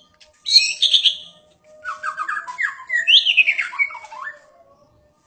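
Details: White-rumped shama in full song: a rich, varied run of loud whistled and harsh phrases, some high and buzzy, then a lower warbling stretch and a sweeping descending whistle, with a faint steady hum underneath.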